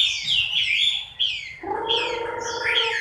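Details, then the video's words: Moulting Chinese hwamei, October 2015, giving loud looping whistles and slurred phrases. Midway a steady, lower droning tone with harmonics starts and continues beneath the song. "HỌA MI THAY LÔNG"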